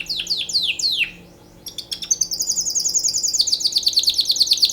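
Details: Canary singing for mating: a few loud descending swept chirps, a short gap, then a fast even trill of rapid repeated notes rising slightly in pitch, very bright and high.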